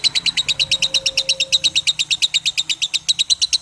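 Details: Lovebird in long "ngekek" chatter, meant to train young birds to chatter longer: a rapid, even stream of shrill raspy notes, roughly three per second, steady and unbroken, with a brief faint tone underneath.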